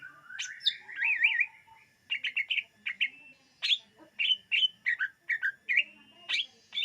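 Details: Greater green leafbird song used for luring birds. A varied, chattering phrase mixes warbled wavy trills, sharp chips and short whistled notes in quick succession, with faint low sounds beneath.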